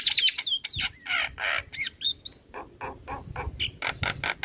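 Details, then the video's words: Varied full song of a male Black-winged starling, played to train young starlings: clear whistled slurs rising and falling, interleaved with harsh buzzy notes and sharp clicks in an irregular sequence. "Suara Jalak Kebo Jantan Full Isian Untuk Pancingan Burung Jalak Muda"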